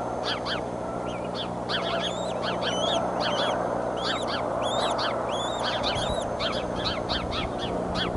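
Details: An eagle at the Decorah nest on 30 March 2015; the mother's outburst startles both eaglets. Rapid, high chittering notes with up-and-down slurs pour out continuously over a loud steady background rumble.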